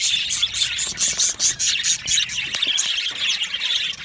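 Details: Budgerigar colony in an aviary, described as happy: very high, bright chirps in quick bursts, roughly two per second, over constant squeaky chatter from the flock.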